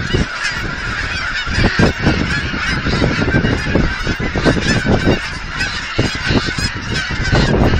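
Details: Thousands of geese at an aquatic center in Hereford, Texas, crowd in to be fed, their honks merging into a dense, continuous roar with sharp overlapping calls throughout.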